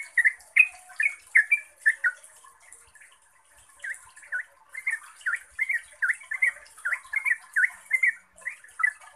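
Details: Yellow-vented bulbul (trucuk) in lively lure song: a run of bubbly chirps, a quiet pause of about two seconds, then a longer, denser stream of slurred warbling notes; soft hiss behind.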